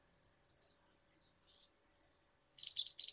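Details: Ninja hummingbird, known in Indonesia as kolibri ninja or konin, in a lure recording: five level high whistles at steady half-second intervals, then a fast buzzy twittering chatter.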